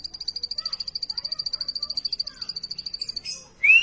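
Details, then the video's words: Plain prinia delivering a fast, even run of high, buzzy pulses for about three seconds. It ends in a burst of noise and a clear rising whistle. "plain prinia bird chirping"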